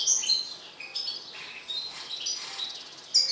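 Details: Excited colour-mutant European goldfinch giving a short burst of high, sharp chirps and tinkling twittered notes, loud at the start and end with softer trills between.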